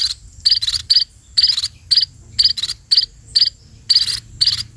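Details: Begging from sparrows during feeding: high, harsh chirps in paired or single bursts, repeated about once a second against a faint low rumble.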